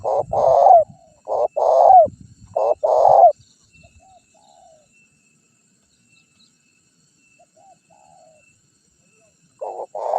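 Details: Lure cooing of a spotted dove to attract wild doves. Three rapid throaty coo phrases with a faint low rumble beneath, then a long quiet lull and one more coo starting at the end.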